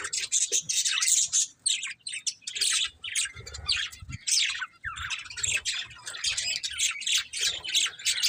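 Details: Continuous budgerigar chatter, harsh high chirps and warbling phrases tumbling over each other, with some soft low knocks in the background.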